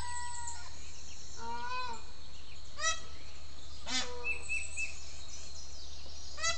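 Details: A peacock at 6 a.m., heard from a bedroom window, gives loud, harsh honking cries, several short blasts a second or so apart, with chickens, softer wild bird calls and a steady low hum.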